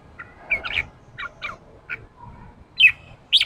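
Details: Newly caught red-whiskered bulbul encouraged to sing ché: soft short whistled notes spaced irregularly, closing with two louder bright twisting notes.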